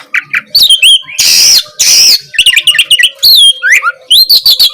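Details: Oriental magpie-robin (Kacer) in full vigorous song, used as a tutor recording to provoke a silent, reluctant bird into answering. Quick sliding whistles and chirps, broken by two loud harsh rasping bursts near the start.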